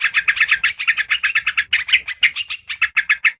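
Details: Yellow-vented bulbul (trucukan) lure call: a steady stream of crisp, clipped chirps, about five per second, with little pause between them.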